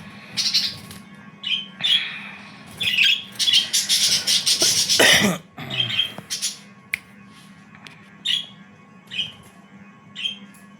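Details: Black-faced Japanese Hagoromo budgerigars in an aviary chattering with scratchy squawks and quick warbled bursts over a low steady hum.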